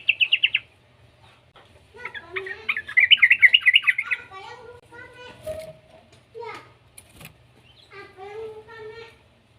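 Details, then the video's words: Juvenile yellow-vented bulbul, used to prompt other bulbuls into song: a short burst of fast twitter, then a rapid bubbling trill, followed by scattered lower warbled notes and sharp clicks. "suara burung trucukan muda"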